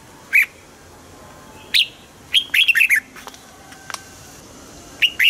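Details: Red-whiskered bulbul in a cage producing scattered single whistles and one fuller phrase of quick, slurred warbling notes, with faint softer chirps in between.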